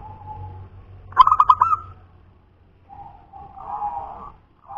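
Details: Zebra dove, a local wild-stock bird of the punden type. A soft low coo leads into a quick rattle of about six bubbling coos. Quieter, wavering low coos follow after a pause.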